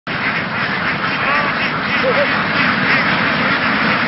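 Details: A flock of laying ducks in Vietnam, herded through the fields and onto a boat to migrate, makes a dense, continuous chorus of overlapping harsh quacks, with a few clearer nasal notes rising above the din.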